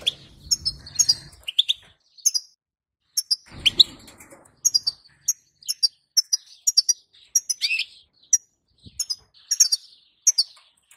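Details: Bitbita, the female European goldfinch call used to make the male sing, heard as a long stream of rapid, tinkling high chirps in twos and threes, with a few buzzier rising notes and brief rustling.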